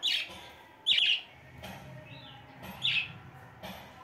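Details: Three captive budgerigars, some recently adult, perched high after feeding in their breeding setup, warble in bright, scratchy chirps and trills that come in short bursts.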